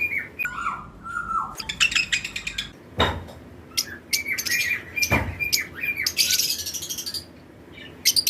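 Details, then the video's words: Lovebird pairs of several colour mutations in a breeding-season flight colony: sharp, dense chirps mixed with short falling whistles, interrupted by two loud low thuds from the aviary. "Lovebirds Chirping Sound"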